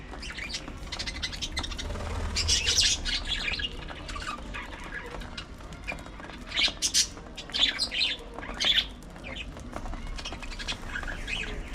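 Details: Parakeets at early morning feeding time make loose, overlapping chirps and squeaks that cluster in short bursts, against a low murmur of background noise.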